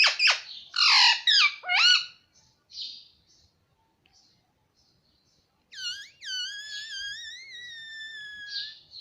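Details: Indoor pet Alexandrine parakeet (pahadi parrot) gives a burst of harsh, ringing squawks, then after a pause a long, clear whistle that swoops up and then slides slowly downward, ending in a rough note.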